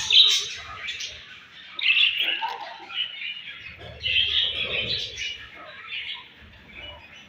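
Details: Budgerigars at morning feeding time, chattering in bursts of warbled and scratchy chirps, with quieter gaps between the louder rounds.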